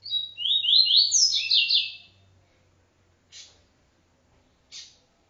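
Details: ['Double-collared seedeater in TuiTui encarte style: a two-second run of buzzy upslurred notes rising in steps, then two isolated short chips, with a faint low hum beneath.']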